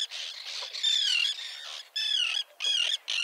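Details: Common terns at a small breeding colony with chicks on a concrete block near a mole, 1.5 km offshore at Liepāja, Latvia, June 2024: harsh, grating downslurred calls in bursts, overlapping and separated by brief pauses.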